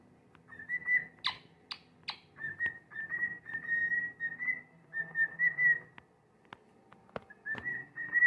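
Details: A pet cockatiel sings, whistling a run of steady, warbling notes broken by sharp clicks and chirps.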